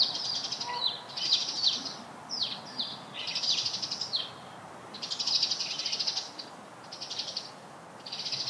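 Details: Chattering Eurasian tree sparrows at a site where they collect nesting material. Repeated groups of shrill, clipped chirps follow one another closely in uneven rhythm, over faint outdoor ambience.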